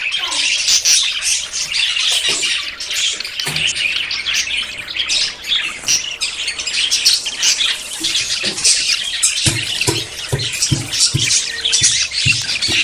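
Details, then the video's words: A flock of courting budgerigars, about to breed, keeps up a long dense warbling chatter of chirps and squawks, with a series of sharp tapping knocks in the second half. "CON ESTE AUDIO TUS PERIQUITOS SE APAREARÁN"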